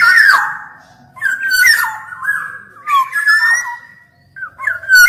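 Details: Black-naped oriole song made of loud, mellow whistled phrases that rise and fall in liquid slurs, cut by short raspy bursts. The phrases come in groups of about a second separated by brief gaps.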